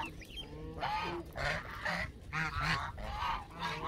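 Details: Canada geese honking: five bright, brassy calls spaced about half a second apart, some with a quick rising break, over a faint low hum.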